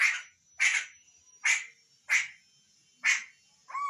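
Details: Hwamei giving harsh, raspy calls: six broad, noisy bursts spaced roughly every half to one second, the last turning into a short whistled note, with nothing else audible.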